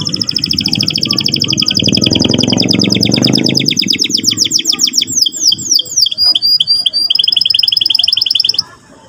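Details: Canary singing in the rolling ngerol and twittering ngeriwik style, used to provoke a young canary to sing. Long, fast, high trills, shifting into sweeping slurred notes midway, then back to a steady rapid roll. Low rumbling noise early on.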